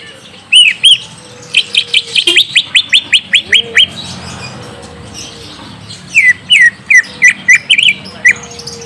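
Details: Greater green leafbird (cucak ijo) lure song aimed at making a young untrained bird answer: two arched whistles, a fast rattle of high, down-sweeping notes, a pause, then spaced looping whistles.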